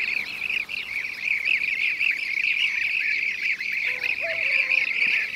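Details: Blue-cheeked bee-eaters (Merops persicus) in Şanlıurfa, Turkey, 2016: a dense, continuous chorus of rolling, trilled notes from several birds overlaps throughout, with a few lower, softer notes near the end.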